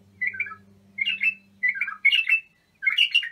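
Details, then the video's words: Bulbul song used to train young bulbuls: falling liquid warbles and fuller chattering bursts, several phrases in a few seconds, over a low steady hum that fades after two seconds. "تغريد بلابل ابو شعيب لتخريج البلابل"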